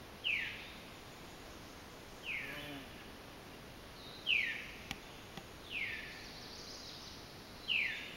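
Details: More than one veery calling at Sosebee Cove, giving five slurred, downward-falling 'veer' notes spaced roughly one and a half to two seconds apart, some louder and nearer than others, against soft steady background noise.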